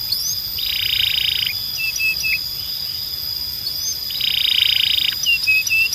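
Canary song of fast, buzzy rolling trills, each about a second long and repeated, mixed with short high whistles over a steady high hum.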